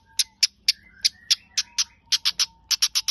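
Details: Long-tailed shrike (cendet) song with sharp high chipping notes at an uneven pace, short falling whistles slipped between them, and a bunched run of quicker notes near the end.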